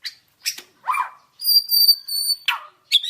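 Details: White-rumped shama, a training song recording: short harsh chirps, then a pure high steady whistle held about a second, followed by further abrupt rasping notes.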